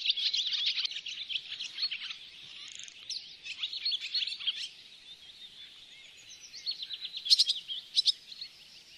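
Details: Barn swallow calls at Oostvaardersplassen in September 2016, recorded with a Panasonic Lumix GH4: bouts of bubbling high chatter separated by quieter gaps, ending with a few sharp, clicking notes.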